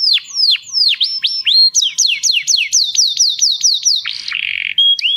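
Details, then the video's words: Canary song played for training young canaries and stimulating mating: rapid series of clear whistled notes swooping downward, repeated in quick rolls, then a brief buzzy trill and a high steady whistle. "دع طائرك الكناري يسمع هذا التغريد Let your canary hear this tweet"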